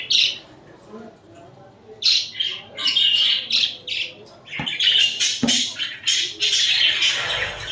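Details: Budgerigars kept as pets, cuddling and fighting: loud, dense chattering of raspy chirps and squawks, sparse at first and then a fast continuous stream with two sharp clicks.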